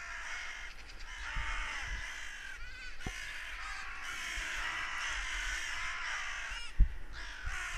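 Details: Harsh crow caws ring out in a continuous, overlapping clamour after a goshawk seemingly struck; rough repeated calls from more than one bird, with occasional knocks and low wind rumble.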